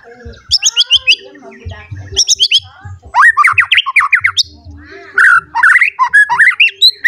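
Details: White-rumped shama, agitated and seeking a rival, singing a varied song of loud whistled sweeps and slurred notes mixed with harsh chattering bursts and rapid trills, phrases changing every second or so.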